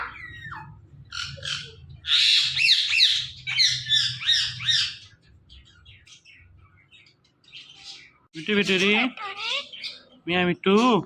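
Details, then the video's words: Talking Indian ringneck parakeet: bursts of high, bright chirps and chattering, a quieter pause, then loud harmonic speech-like syllables with wavering pitch. A low hum runs underneath. "The Best Indian Ringneck Talking Parrot"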